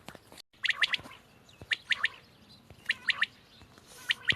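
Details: Quail calling on 31 March 2024, sharp high notes grouped in quick triplets, repeated about once a second with pauses between groups, over a faint background hiss.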